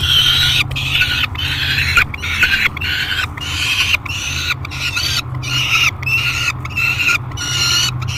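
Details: Noisy peregrine falcon screaming while being fed in the Great Spirit Bluff nest box, July 3, 2021: a rapid run of short, raspy, harmonic screams with brief breaks between them, and a constant low drone underneath.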